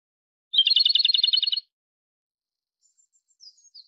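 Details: Japanese robin, Erithacus akahige, a bird breeding in Japan, Sakhalin and the Kuril Islands: one rapid trilled burst of about a second, a fast series of high, even notes, then a few faint thin high notes later.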